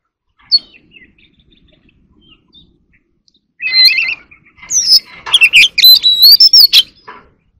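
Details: Oriental magpie-robin singing competitively and dancing, a fighting-song performance. Near silence with faint ticks gives way after three and a half seconds to loud, varied whistled phrases, clear slurred notes and harsh chattering bursts, ending abruptly.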